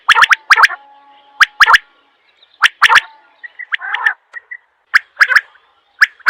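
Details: Quail repeating crisp, clicky double and triple notes at irregular spacing, with a brief raspy burst and soft high piping notes between the phrases.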